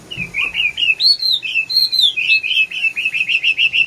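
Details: Red-whiskered bulbul pouring out a continuous, rolling warble: looping whistled notes rising and falling, then a steady train of quick, evenly repeated chirps.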